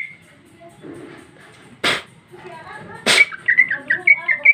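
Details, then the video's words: Female greater green leafbird in open, full song. Quiet murmuring opens the passage, then two loud harsh rasps, then a quick series of bright, slightly falling whistled notes repeated about twice per second. "Cucak ijo betina paling gacor ngeplong isian super mewah"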